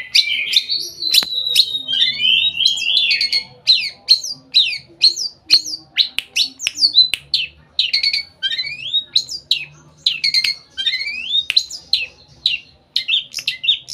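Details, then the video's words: Long-tailed Shrike in fast, varied song packed with mimicked phrases: sharp chirps, rising whistles and scratchy notes tumbling in a continuous high stream. "pentet full materi"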